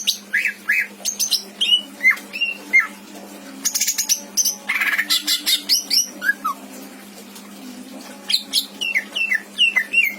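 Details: Mimicry-filled song of a caged greater green leafbird in Indramayu, Indonesia: scattered whistled slurs, a noisy harsh burst, rapid chattering notes, then a closing series of sharp descending whistles.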